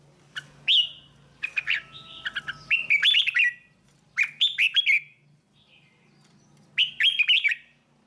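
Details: Red-whiskered bulbul tutor song for training young birds: three bursts of quick, bright whistled and warbled notes, each about a second long and separated by pauses, over a faint steady low hum.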